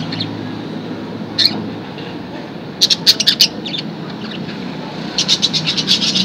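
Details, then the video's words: Playing budgerigars give a few scattered squeaky chirps, then a short run of rapid chirping, and finally a quick burst of chattering notes at the end over a low steady hum. "budgies play"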